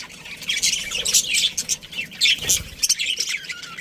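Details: Breeding pair of budgerigars in a colony, high squawky chirps and twittering in short bursts, several birds calling at once with a soft low thump.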